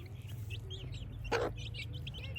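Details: Chicks in a village at morning give soft, high, quick peeps in a short run, broken by a single sharp thump in the middle, with a constant low hum underneath.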